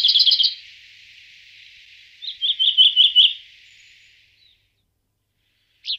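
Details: Common Chaffinch: a fast rattling series of high notes, then a second run of rapid bright notes trailing into a faint hiss, and a final short note after a pause.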